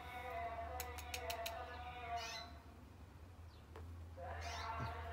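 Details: Blue-fronted amazon giving a sustained, nasal, strongly harmonic call lasting about two seconds, with a quick run of sharp clicks over it. A brief squawk follows, then a rough rising call near the end over a low steady hum.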